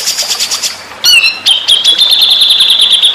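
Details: Training master of white-rumped shama song: soft high chips, then a loud, sharply descending whistle and a sustained, steady rattling trill held at one pitch.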